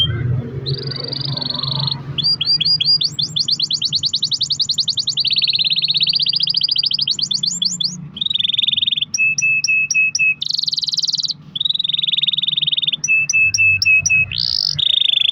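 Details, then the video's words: Long-rolling canary song used to coax other canaries into singing: sustained buzzy rolls, fast high trills, short repeated whistled notes and a very high trill, joined in varied sections over a steady low hum. "kenari gacor ROL PANJANG buat pancingan kenari agar bunyi"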